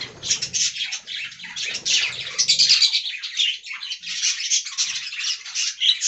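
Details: Colony budgerigars in an aviary keep up unbroken, shrill warbling chatter, many voices overlapping in fast scratchy notes, with low fluttering sounds at first.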